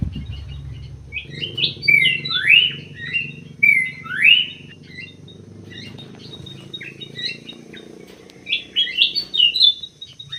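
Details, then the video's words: Common green magpie singing inside an aviary, wearing an anklet ring: bursts of sweeping whistled and chirping notes, some swooping down sharply, with quiet pauses between phrases and a low hum in the background. "CUCAK HIJAU PAKAI ANTING"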